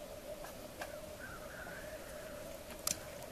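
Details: Black grouse (Lyrurus tetrix) lek display on an April morning in Svartådalen, Västmanland: a steady, distant, low, unbroken bubbling coo throughout, with a few soft clicks and taps nearby.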